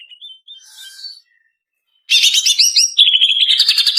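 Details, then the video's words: Lure recording of a female greater green leafbird for training caged birds: soft scattered chirps, a silent gap, then loud rapid chattering twittering that flows into a steady, buzzy, repeated trill. "Suara Cucak Ijo Betina"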